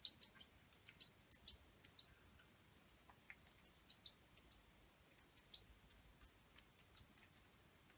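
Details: A juvenile European goldfinch fledgling in care at a wild bird rescue, shown being fed, gives rapid bursts of high, thin chittering calls, three or four notes at a time, pausing briefly between bursts.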